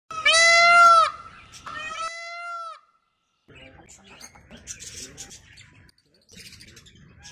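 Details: Peacocks in an aviary: a peacock gives two loud, nasal, wailing calls, the first about a second long and the second softer, followed by faint rustling and scattered background noise.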